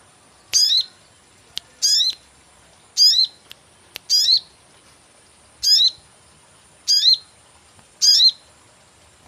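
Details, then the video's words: Sogon bird call used as a lure for catching birds: bright chirps that dip and then rise, with buzzy upper overtones, given in short bursts about once a second against a quiet background with faint clicks. "cuit cuit pancingan burung sogon"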